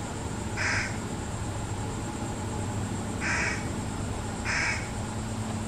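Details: Fish crow family with fledglings being fed by parents; three short nasal calls, two close together near the end, over steady low hum.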